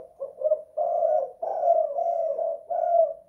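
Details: Indoor spotted dove of the kuk 2 / guk 1 type giving one cooing phrase: two short soft notes followed by three longer, mellow, slightly wavering coos at a low steady pitch.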